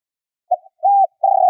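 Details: Part of a decoy spotted dove's luring coo: a short soft note, a level hollow coo, then a long coo cut off abruptly at the end with a click.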